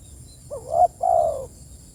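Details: Spotted dove calling to its companions with one phrase: a quick rising coo followed by a longer, steady, mellow coo.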